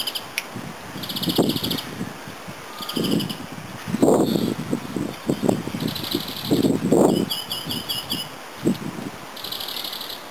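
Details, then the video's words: Greenfinch song recorded in the Netherlands: short, high, rapid trills repeated at intervals, some with notes rising in steps, mixed with loud low rustling and crackling close to the recorder. "Groenling / Groenvink (Chloris) : Zangvogel"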